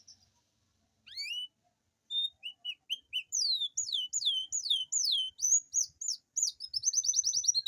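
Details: Long rolling song of a caged Atlantic canary, used to coax lazy canaries into song: rising whistles, short repeated chips, a run of looping falling-rising whistled notes, ending in a quick stuttering trill.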